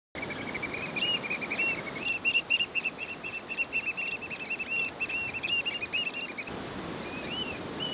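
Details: Black oystercatchers (Haematopus bachmani) give loud, piercing whistled wheeps, several per second in an excited run, over steady surf-like rushing noise.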